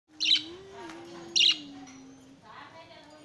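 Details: A budgerigar taking a bath gives two short, harsh, scratchy chirps about a second apart over a steady low hum.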